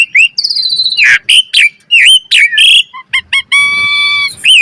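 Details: Asian pied starling pumping out varied song as a lure for training birds: clear whistled slurs, harsh buzzy bursts, a few clipped notes, then a steady, nasal, tonal hum before a final whistle.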